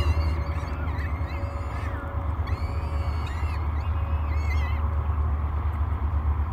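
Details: Three hungry peregrine falcon chicks beg during breakfast at the Great Spirit Bluff nest cam on 24 May 2022. Thin, drawn-out wailing calls, some level and some falling, repeat over a loud, steady low rumble.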